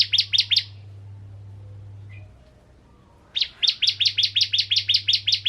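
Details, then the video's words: Bar-winged prinia, known as ciblek kristal, in lure song that provokes other prinias; a few quick chips open, then a pause, then a fast run of repeated sharp high notes. "Burung Ciblek Kristal Gacor Untuk Pancingan Burung Ciblek Semi Ciblek Gunung Dan Ciblek Kristal"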